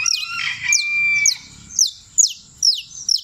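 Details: Creole canary, a champion singer from Turbo, Antioquia, delivers quick descending high whistles at a steady pace after a rooster's crow opens the recording.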